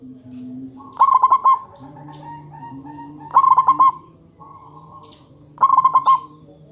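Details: A local zebra dove, kept as a lure to draw answering calls from other zebra doves, gives three rippling coos. Each is a fast run of about five beaded notes, with soft steady low tones between them.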